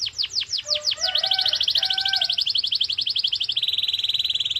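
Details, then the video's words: Canary in full song, offered as a singing stimulus: several steep downward sweeps, then a rapid high trill with lower soft whistled notes beneath, ending in a steady fast pulsed tone. "Canary singing FULL POWER 🙌| Canary singing sound"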